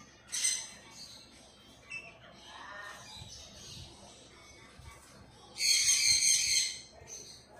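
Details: A Goliath macaw eating green bell pepper gives two harsh, raspy squawks, a short one at the start and a longer, louder one near the end, with quiet human speech between.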